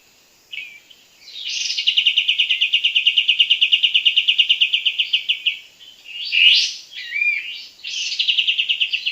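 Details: Sooty-headed Bulbul called in during bird trapping: a long, fast, buzzy trill of evenly pulsed high notes lasting about four seconds, followed by short sharp chirps and a second, briefer rapid trill.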